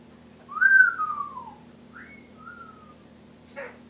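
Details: A pet Timneh African grey parrot, a mimic of many household sounds, whistles a long falling note, then a short rising whistle and a level one, ending with a sharp click; a low indoor hum continues underneath.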